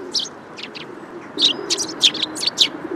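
Eurasian tree sparrow giving about ten short, high, dry chirps in three seconds, irregularly spaced, over a low, steady background hum.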